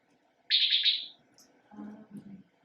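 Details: Antillean Nighthawk, a summer breeder in the Florida Keys, gives a quick, stuttering burst of about four high, buzzy notes run together, rendered 'pity pit pit', followed by a man's voice.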